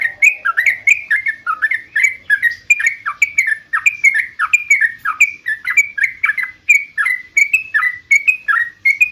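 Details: Continuous vigorous song of a yellow-vented bulbul, used to train caged bulbuls to answer. Unbroken series of bubbly, down-slurred chirps, about three per second, sustained throughout with little background noise.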